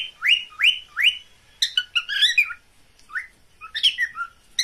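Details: Pet cockatiels' mating call, opening with three loud upslurred whistles, followed by jumbled chirps and warbling notes.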